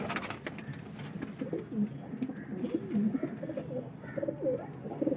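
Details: Steady low murmuring pigeon coos, one rolling phrase after another with hardly a pause, indoors with light background hiss.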